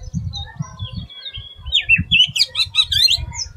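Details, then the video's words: Oriental magpie-robin, Bengali doyel, singing an unusual song of thin whistles and a rising burst of squeaky chirps, over repeated low thumping noises in the background. "Oriental Magpie Robin Singing an Unusual Song"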